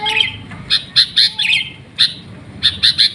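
Sooty-headed bulbul giving bright, scratchy chirps in quick bursts of two or three notes, with a brief low whistle at the start.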